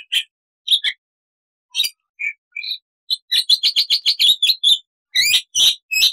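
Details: Black-winged starling in full singing form on a loud, clear training recording: scattered chips and short whistles, then a fast run of about ten sharp repeated notes, ending in harsher buzzy bursts.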